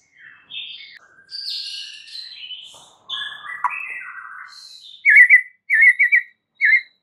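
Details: White-rumped shama song, meant to trigger a silent bird to sing: varied buzzy and whistled phrases, then three short bursts of quick rattling notes separated by silence.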